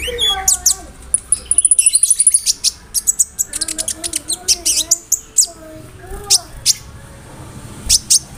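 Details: Konin delivering a varied mimicry song of cricket, brem, kamade and rambatan, used to tutor other songbirds; a steady high trill, then dense chirp series over soft warbling notes.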